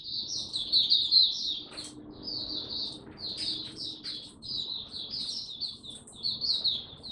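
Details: White-eye singing again after a break, a caged songbird in Singapore recorded on 31 July 2023: a long run of quick, high, jumbled chirps and warbles with occasional sharp clicks, over a steady murmur of background noise.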